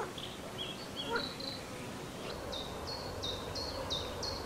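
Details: Wild mallard with ducklings bathing and preening on the Nezhegol River, Shebekino district, Belgorod region, Russia; thin high descending peeps, first scattered, then a steady run of seven roughly every third of a second, over soft background hiss.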